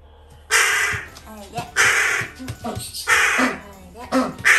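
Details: Excited pet crow greeting its returning owner: loud, rasping caws in bursts about once a second, mixed with a woman speaking and small bird-like squeaks.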